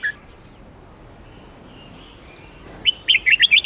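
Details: Melodious red-whiskered bulbul song: after near silence, a quick burst of about six bright, warbling whistled notes closes the recording.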